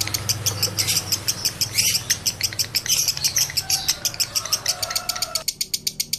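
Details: Male lovebird in high breeding condition: quick high chirping notes repeat in a rattling series and grow cleaner and more separated toward the end, with a low hum early on.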